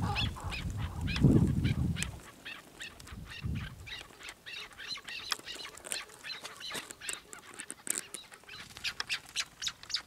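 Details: Chukar partridge calling in quick, evenly spaced chuck notes, several per second, after a brief burst of low rumbling noise at the start.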